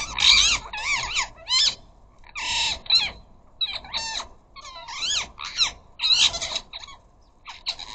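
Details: Rose-ringed parakeets, a flock of up to a dozen visiting a garden bird feeder, chattering and squawking: loud harsh screeches with repeated rising-falling notes in quick bursts, several calls overlapping, brief pauses between volleys.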